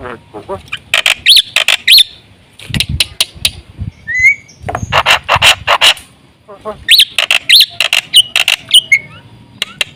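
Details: Black-winged myna in lively full song, used as a lure to draw in other mynas: loud harsh broadband bursts in tight volleys, laced with clear whistled notes and a short rising whistle near the middle.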